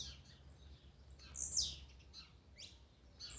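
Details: Warm-up recording of blue-black grassquit songs and 'macheados' for stirring up a kept bird: a few short, high, buzzy notes, one loud sharp downward-sweeping note near the middle.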